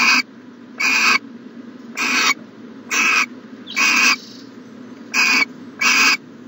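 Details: Owl at a nest box on a January 2020 morning, giving seven harsh, breathy hissing bursts, each about a third of a second long and spaced nearly a second apart, over a low steady hum.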